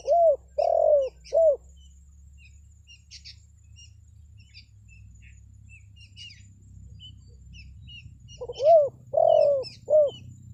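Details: Spotted dove calling as a decoy for forest birds. Low three-note cooing phrases open and close the passage, about seven seconds apart. Light high chirps and a low rumbling hum fill the middle.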